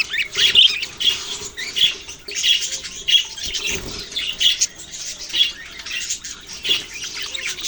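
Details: Budgerigars chattering, recorded on November 6, 2023. Sharp bright chirps pop out roughly every half second to one second above a constant murmur of high twittering.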